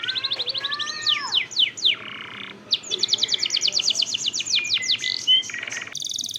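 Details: Long-rolling canary song meant as a lure to get canaries singing: rapid sweeping whistled notes run into a brief harsh buzz, then a long series of quick descending slurred notes and a final short trill.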